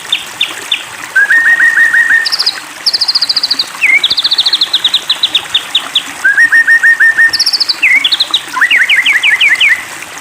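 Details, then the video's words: White-rumped shama (Copsychus malabaricus) singing after provocation: rapid series of repeated whistled notes at several pitches, trills and rising zigzag phrases, phrases repeated with short pauses. "Pancingan Murai Batu !! Terbukti Ampuh Memancing EMOSI Murai Batu Agar Bunyi Gacor !!"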